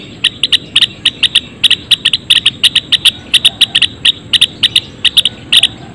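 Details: Rapid run of hard, bright chips from Java sparrows (Padda oryzivora) in a colony cage, notes often paired and coming several per second with brief gaps, over a faint persistent high tone and low ambient noise.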